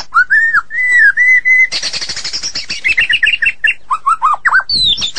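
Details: White-rumped shama song opening with clear arched whistles, then a dense burst of high fast notes, followed by quick hooked whistles and a final high sweeping flourish.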